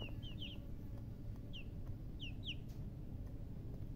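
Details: Baby chicken chicks chirping: a quick cluster of high, sharply falling peeps, then spaced single and paired peeps, over a steady low rumble.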